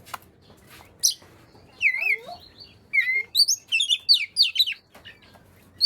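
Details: Oriental magpie-robin song used to make lazy magpie-robins sing: scattered clicks, then a wavering whistle with a low slurred note, and a lively cluster of sharp rising and falling whistles.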